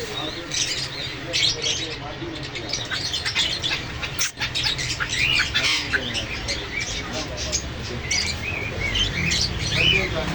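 A busy mix of parrot chatter, with squawks, chirps and whistled notes overlapping continuously over a low background hum.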